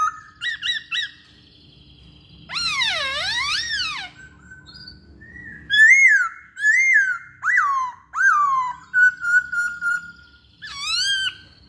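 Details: Masked laughingthrush singing as lure material for other songbirds: short clipped notes, a deep swooping whistled phrase, then lively rising and falling whistles in quick bursts with brief pauses.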